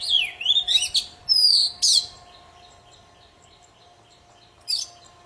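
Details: Poci in full song, used to get silent birds singing: a tumbling run of whistled slurs and a long bright downslurred whistle, then a pause and one short harsh note, with a faint steady hum behind.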